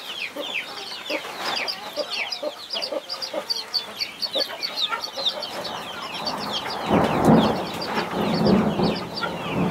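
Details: Mother hen defending her 21 chicks: quick repeated high peeps dominate, then a louder, lower, rougher hen sound swells toward the end.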